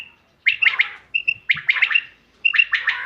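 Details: Common quail call used as a hunting lure, 5 June 2025: a soft whistled note leads into a sharp three-pulse phrase, repeated three times about a second apart, clear and close.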